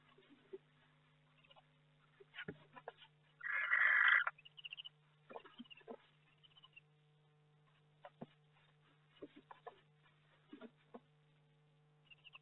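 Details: Barn owl at its nest box in May, where a second egg has hatched: one loud, harsh screech lasting under a second, surrounded by scattered scratching and shuffling clicks against a low electrical hum.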